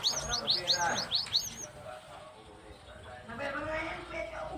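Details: Cinereous tit (gelatik batu) singing actively: six or seven crisp, upward-sweeping whistles in quick succession, then the bird stops and a man's voice continues.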